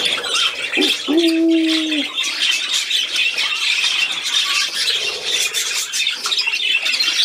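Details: Budgerigar playing on 13 December 2019: high, grating warble and chirps throughout, overlaid early by a lower, drawn-out tonal sound lasting about a second.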